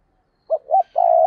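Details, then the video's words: Spotted dove kept as a decoy to draw in wild doves gives two brief hooting notes followed by a long sustained coo that is cut off at the end. "Chim Cu Mồi, cu gay kich boi nhanh noi gù hiệu quả nhất 2023"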